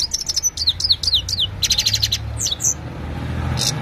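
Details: Himalayan goldfinch evening song captured by mobile phone: fast tinkling twitter of sharp downswept notes, then a short run of evenly repeated bright chips and a buzzy burst, against faint low background noise.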